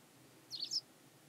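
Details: Hybrid pied wagtail calling at Ottoland, Klokbekerweg, 4 May 2020: one quick, high, sharp two-syllable note, chiss-ick, over a quiet background hum.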